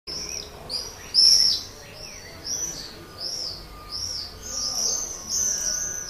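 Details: Common swift in a terracotta nest pot under a terrace roof in Leuven, 7 May 2016, evening, calling to attract a partner: shrill screaming trills in pulses about every second, high and buzzy.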